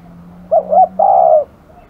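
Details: Aggressive spotted dove uttering a brisk double coo followed by a long, mellow, rolling coo, with a faint steady hum beneath.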